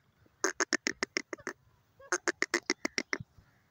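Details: Grey francolin, the desi teetar, giving two bursts of rapid, harsh, cackling pulses, about six to eight per second, each burst lasting roughly a second and separated by a short pause.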